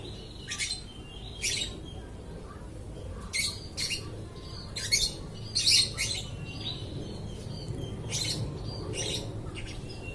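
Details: Lovebird singing without stopping, giving sharp high chirps and squeaks spaced about a second apart, some in close pairs, over low background hum.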